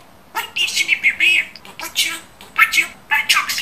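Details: Pet budgerigar imitating speech with a steady stream of buzzy, chattering syllables and rising squeaks.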